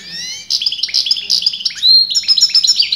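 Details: European goldfinch, a bird whose sex breeders disputed, in continuous singing: a dense run of high, bright twitters and rapid liquid trills, with a brief quiet start before the phrase breaks in sharply.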